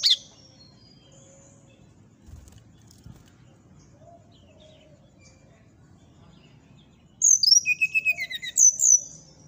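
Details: Nyuling-style song of a brown-chested jungle flycatcher, said to provoke a neighbouring bird. After a long near-silent stretch comes a rapid series of bright, high whistled and twittering notes. A brief high note is heard at the very start.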